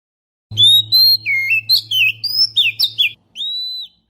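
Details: Oriental magpie-robin lure song to attract birds, a fast sequence of loud sweet slurred whistles over a steady low hum, ending with a long level whistle.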